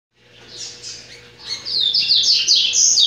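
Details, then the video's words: A courting double-collared seedeater in breeding sings a rapid, high twittering song of sweet and buzzy notes that grows louder, over a faint steady hum. "COLEIRO GALANDO"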